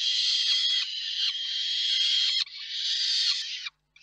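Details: Peregrine falcon pair at the Reda nest on 4 May 2023 during feeding: sustained harsh, buzzy screaming in two long stretches, ending abruptly in silence.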